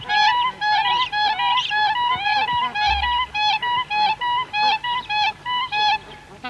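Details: Siberian cranes, adults and young, calling with bar-headed geese in the background: loud, clear, fluting, slightly rising notes repeated steadily almost twice per second, each note rich and ringing, with fainter honking behind.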